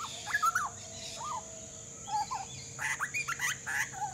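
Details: Grey butcherbird fledgling from an Australian family chatting: scattered short slurred whistles and bent notes, then a quicker cluster of chattering, rising-and-falling notes toward the end, over a steady hum.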